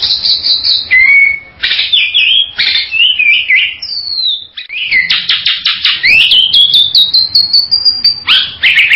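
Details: Bali myna uttering rapid harsh chatter and squeaks, then a long whistle that sweeps smoothly upward and levels off high, before closing with rough, buzzy notes.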